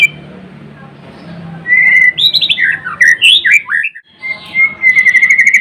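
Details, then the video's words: Murai Blorok white-rumped shama singing vigorously: a rising whistled note followed by a rapid jumble of looping, slurred phrases, a brief pause, then a steady run of repeated high whistles. "Kicauan MURAI BATU GACOR (Murai Blorok gacor)"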